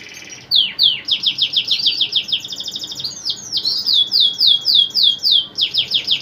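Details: Male canary in vigorous full song, said to set other canaries answering; fast high-pitched trills of repeated sweeping notes, rolling phrases that change every second or so, with brief downward slurs, sung almost without pause in a small room.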